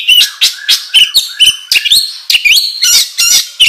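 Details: Oriental magpie-robin in energetic, agitated full song, used as a lure to stir other birds into singing: rapid varied whistles, sharp upslurred notes and buzzy trills with short gaps, bright and loud throughout, no other sounds.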